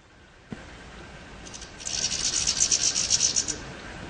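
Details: European goldfinch in the wild: after a soft tap, a quick run of high, thin, buzzy twittering notes lasting under two seconds, over a steady hiss of background noise.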